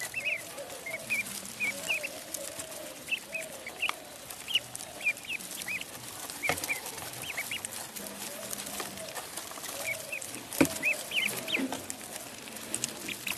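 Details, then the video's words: Duckling on a pond repeating high, piping peeps in loose groups every second or so, over a steady background hiss with occasional tapping noises. "Duck Sound duckling in the pond -duck quack"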